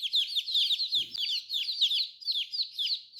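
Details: Dense, continuous high peeping from a group of colorful baby chicks, with downward-slurred notes overlapping throughout and one brief knock near the one-second mark.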